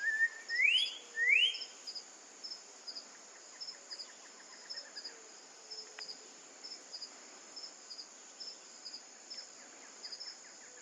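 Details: An orange-backed troupial (Icterus croconotus), Brazil, gives two loud, rising whistled notes, then faint repeated chirps over a steady high insect drone.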